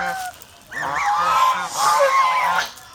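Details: A domestic goose flock in the Philippines, kept as watch animals, gives a pause followed by a sustained run of nasal honks and a hissing, harsh rasp.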